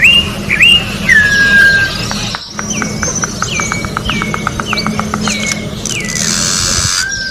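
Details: Orange-backed troupial in nature opening with rich looping whistles and a long falling slur, then a run of sharp ticks, short hooked notes, and a hissing burst.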